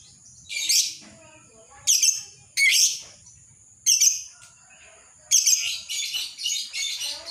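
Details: Lovebird ngekek: short bursts of harsh, high, buzzy chatter separated by pauses of about one second, growing into a longer run of broken chattering toward the end.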